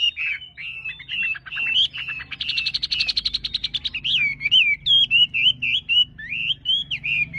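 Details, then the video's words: Varied wambi song: slurred whistles, a fast rattling burst of rapid clicks, then a series of lilting, rising whistled phrases, with a soft low hum behind. "Wambi Gacor"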